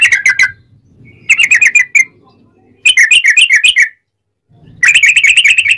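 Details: Sooty-headed bulbul singing a loud, clear ropelan song with cucak rowo-like turns, meant to provoke other bulbuls into singing. Short bursts of quick bubbling whistled notes are separated by pauses, over a soft low background murmur.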